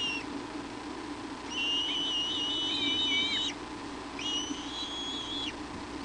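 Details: At the Hornby nest in the evening, 22 July 2011, the mother bald eagle visits with a branch. Two drawn-out, steady, piping whistles of about two seconds each end in a quick downward slur, separated by a short pause.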